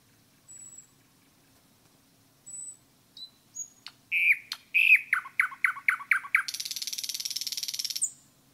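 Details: Nightingale in the forest: soft, high drawn-out whistles, then loud, falling notes repeated about eight times and a long, even buzzy trill.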